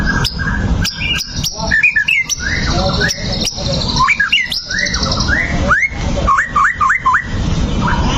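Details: White-rumped shama singing as bait to provoke fighting: mixed whistles and sharp clicks, ending with a series of quick upslurred, hooked whistles repeated about four times, over a low steady hiss.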